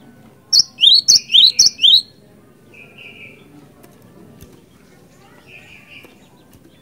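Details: Lure recording of a cinereous tit in full vigorous song. About five fast two-note phrases, a bright high note followed by an upward-slurred whistle, packed into the first two seconds. Quiet follows, with a few faint buzzy notes.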